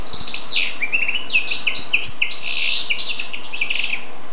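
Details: Energetic song from a goldfinch-canary hybrid: a quick, jumbled stream of high twittering chirps and buzzy trills, several notes each second, strongest in the middle.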